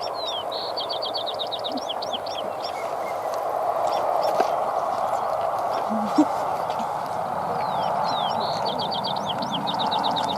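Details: American robins feeding in the open give quick, high, monotone, repetitive alarm notes in two rapid bursts, alarming at passing wolves that came too close, over a steady rushing background noise.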